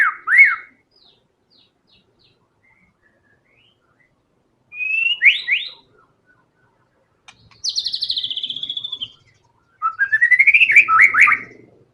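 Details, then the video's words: Lively white-rumped shama song in tembakan style, full of varied phrases: brief whistled slurs, a high buzzy rattling trill, and a fast rising series of sharp notes, separated by silences. "TEMBAKAN MURAI BATU GACOR BONGKAR SEMUA ISIAN FULL FIGHTER"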